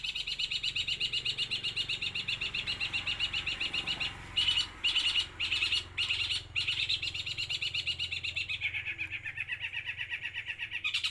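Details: Long-tailed shrike delivering extended 'los trotol' song: a long, rapid, scratchy rattle interrupted by a few separate harsh bursts, then the fast rattle resumes with a slightly lower pitch.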